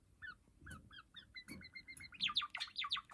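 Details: Cream Java sparrow practising song indoors as a pet: soft repeated piping notes that quicken into a tight row, then break into loud, bright, falling chirps.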